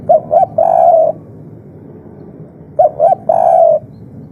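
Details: Agitated spotted dove, 'kuk 3' style, a natural local voice to make other doves call back. Two identical phrases about three seconds apart, each two short coos and a long, slightly quavering final coo; constant hiss behind.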